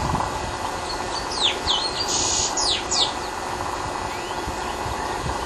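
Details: Long-tailed meadowlark: a short burst of sliding, downward-slurred whistled notes and one buzzy note lasting about two seconds, over constant low engine or traffic rumble.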